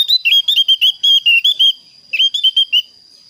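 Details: Javan grey-throated white-eye calling to a rival, clear voice, gives quick runs of short, bright whistled notes, about seven a second, in two bursts, over a faint steady high-pitched whine.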